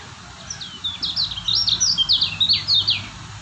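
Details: White-eye from Lombok, known locally as kecial kuning, singing a fast, high chirping song of short rising and falling whistled notes, with a steady low hum beneath.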